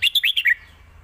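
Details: Competition red-whiskered bulbul giving a master song used to teach young birds, alternated with the lak wai style: a quick phrase of five bright, clipped whistled notes, mostly falling, delivered in about half a second.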